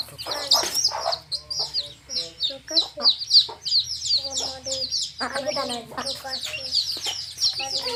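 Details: Hen's baby chicks in a field: a dense, continuous chorus of high, thin peeping chirps repeated several times a second, with lower soft clucking underneath.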